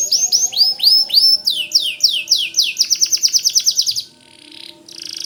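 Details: Continuous gacor singing from a white canary, offered as tutor material for white-rumped shamas: looping descending swoops give way to a quick series of sharp repeated notes, ending in a soft buzzy trill.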